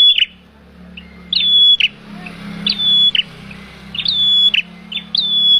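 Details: Male bar-winged prinia lure call for bird trapping; loud phrases of a sharp opening note, a sustained flat whistle and a rough buzzy finish, repeated with uneven gaps over a low hum.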